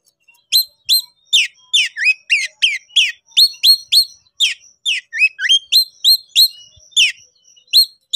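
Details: Konslet-style Oriental magpie-robin, worked up and summoning a rival to fight: a steady stream of loud upslurred and downslurred whistles, about three per second, varied in pitch, in a quiet setting.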